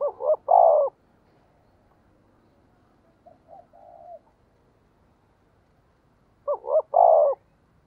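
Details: Spotted dove used as a decoy to draw in wild doves: two clear cooing phrases several seconds apart, each two clipped notes followed by a long low coo, with a quiet humming murmur in the gap.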